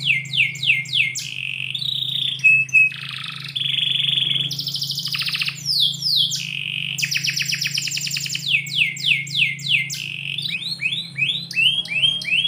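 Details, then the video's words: Extended indoor morning song from a canary, mixing fast falling whistle sequences, sustained buzzy rolls and metallic trills, switching phrase type every couple of seconds, over a constant low hum. "KICAU BURUNG KENARI - DIPAGI HARI DALAM RUMAH"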